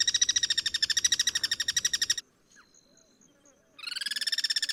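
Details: Guira cuckoo (Pirincho) in the wild with cross-singing birds: a loud, harsh, rapid rattle of stacked buzzy pulses, about ten per second, runs for two seconds, breaks off, then starts again after a short quiet gap.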